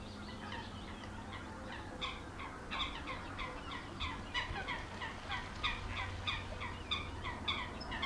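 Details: Four hungry white stork chicks in a nest in the Lippe floodplain, Germany, being fed; dense chattering, rapidly repeated short raspy calls overlapping in a busy chorus, with a steady low hum beneath.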